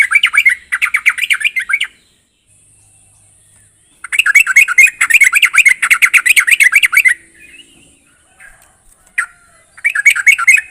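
A Sooty-headed Bulbul gives bursts of bubbly, chattering notes, each lasting a few seconds and separated by short pauses. A faint steady high hiss runs beneath.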